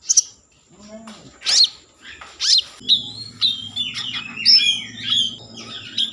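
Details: Common iora singing energetically as a lure to rouse breeding mood and song: sharp rising whistles at first, then a run of varied warbled chirps over a faint low hum.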